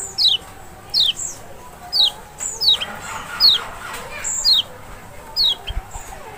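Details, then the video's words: Lombok or Sumbawa Lemon-bellied white-eye song for luring a quiet bird to respond: crisp high downslurred whistles, roughly one each second, some paired with a thin higher note, and a soft rushing noise midway. "panciangan sepesial Kecial malas bunyi nggak mungkin nggak respon"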